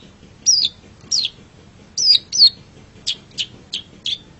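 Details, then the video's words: Long-tailed shrike master recording for pet birds: loud downslurred whistles spaced about half a second apart, followed by short sharp high notes. "Suara Burung Cendet"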